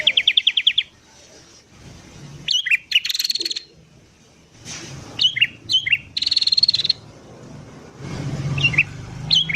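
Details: A sooty-headed bulbul singing in the morning, used to attract wild bulbuls: a rapid chip series opens, followed by bubbly, warbled phrases, harsh buzzy bursts, and more short liquid phrases spaced a second or two apart.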